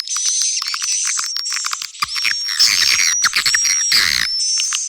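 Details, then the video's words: Swiftlet calling used to draw in young swiftlets: thick layered chirping with a sustained high whistle line threading through, and brief gaps between bursts of twittering. "SUARA PANGGIL WALET - PEMUTUS LINTASAN ANAKAN"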